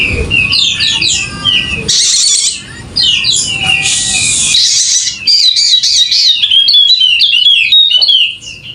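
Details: Golden-headed Wallacean white-eye, endemic to Sumbawa, West Nusa Tenggara, singing vigorously: rapid high whistled and chirping phrases, many sliding downward, broken by loud harsh hissy bursts and brief pauses.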